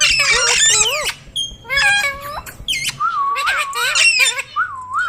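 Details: Talking ringneck parrot in a room, rasping word-like bursts at first, then a series of looping, bouncing whistled tones repeated several times.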